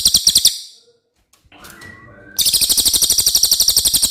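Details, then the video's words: Cililin song played as tutor material for contest birds: a high pulsed trill stops, a brief faint murmur and soft whistled tones follow, then the fast, even, buzzy high-pitched trill resumes strongly to the end. "suara asli burung cililin"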